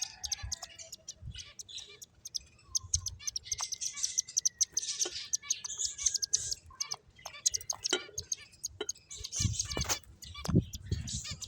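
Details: Finches at play give a steady stream of sharp high chirps and twitters, with one long thin level whistle in the middle and occasional low thumps.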